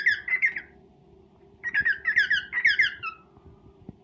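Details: Male cockatiel courting a female indoors: a short chirpy phrase, a pause, then a longer series of bright descending whistled chirps fading out, over a low hum.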